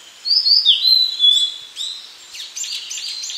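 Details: Blue-and-white flycatcher song, a bright phrase of high whistles that slide downward into a long steady note, then a quick run of sharp, chirpy notes repeated rapidly near the end.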